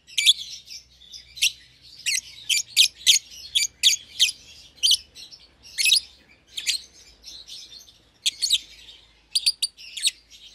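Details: A young pair of caged lovebirds, one euwing green opaline and one red-eyed albino, separated from the flock after being seen close together; rapid, shrill chirps repeat steadily, roughly every half second, with a few doubled notes.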